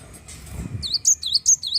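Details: Prolific Java sparrow singing to stimulate other birds: a brief burst of five high, sharp, swooping notes in quick rhythm, preceded by a soft low rustle.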